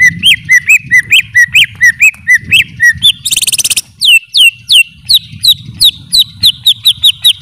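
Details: Greater green leafbird delivering a long, fast chain of looping whistles, rising then falling, interrupted midway by a harsh buzzy rattle lasting under a second, then continuing with sharp downslurred whistles at a steady quick pace.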